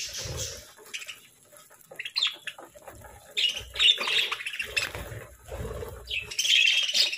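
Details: Pet parakeets at their morning feeding give short, scratchy chirps high in pitch, in loose irregular bursts, mixed with rustling and clicking noises from the cage and food.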